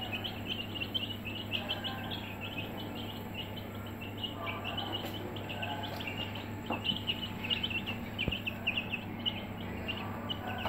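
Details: Many Aseel chicks kept in a brooder give a continuous chorus of brief, thin, high peeps, with a steady background hum and a couple of soft knocks.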